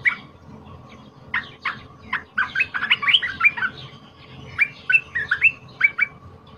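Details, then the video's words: Wild-caught cream-vented bulbul delivering a loud, emotional fighter song for tutoring other birds: bursts of bubbly chirps in short clusters separated by brief gaps, ending with several spaced, clear notes; low hum in the background. "Suara Merbah Lekir Pikat Gacor Fighter Emosi Tinggi Suara Lantang Cocok untuk masteran"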